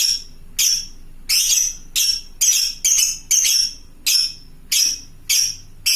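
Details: Lovebird of the fighter type calling to other lovebirds with long chattering ngekek calls: harsh, very high rasping bursts, about ten in six seconds at a fairly steady pace.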